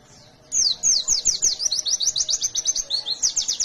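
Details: Wild-caught white-eye (pleci), a fighter bird in full song, used as a lure to set other white-eyes singing: a fast run of high, sharply downslurred whistled notes, about five per second, with faint background hum.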